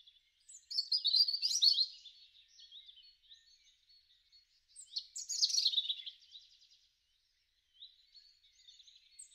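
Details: Robin in a garden during March–April 2013, spring song: two loud rippling phrases of high warbled notes and descending trills, separated by softer fragmented twitters and a brief silence.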